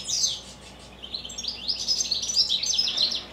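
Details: Captive goldfinches in evening song, a loud opening chirp followed by a steady stream of high, jingling twitters and quick trills.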